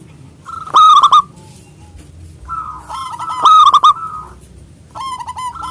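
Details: Local zebra dove calling rivals: loud bursts of rolling, stuttered coos repeat about every two and a half seconds, overlapping longer level whistled phrases.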